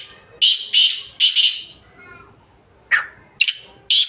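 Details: Black francolin (kala teetar, Sindhi teetar), recorded 2-1-2024, giving harsh grating notes in pairs, with a short gap, then more paired rasps near the end against a quiet background.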